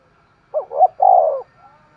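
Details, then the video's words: Spotted dove in vigorous 'thúc gù' cooing: two short rising-and-falling notes, then one long, full coo. The phrase stands alone against near silence. "Tiếng chim cu gáy thúc gù cực sung"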